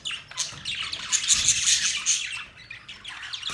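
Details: Short burst of budgerigar chirping: bright, rapid high twitters and whistly squeaks peak in the middle, then fade slightly toward the end.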